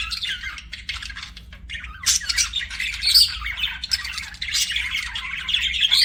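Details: Nonstop budgie chirping: rapid twittering, grating squawks and thin whistled squeaks layered from several birds, growing louder after two seconds and staying lively to the end.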